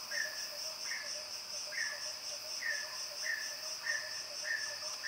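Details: Mountain peacock-pheasant calling: short flat notes, each with a fainter lower note, repeated about every 0.7 seconds over a steady high insect drone.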